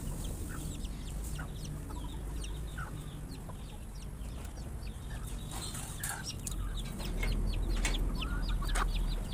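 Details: Many chickens surprised by a noise while eating a meal: scattered short, high chirping calls from many birds over a steady low rumble that grows louder near the end.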